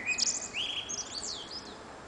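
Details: Nightingale singing from an antenna on a June summer evening: a quick phrase of clear whistles and slurred, rising and falling notes, over soft background noise.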